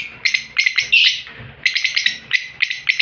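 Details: Opaline lovebird from an aviary collection chirping loudly: sharp, high, squeaky notes in quick bursts, with one drawn-out harsher squeal near the start, then evenly spaced clipped chirps.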